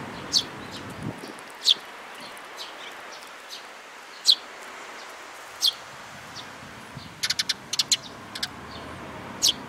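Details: Sparrow parents and chicks, 19 May 2018: sharp, clipped chirps spaced a second or two apart, then a quick cluster of rapid tweets near the end, with light rustling in the background.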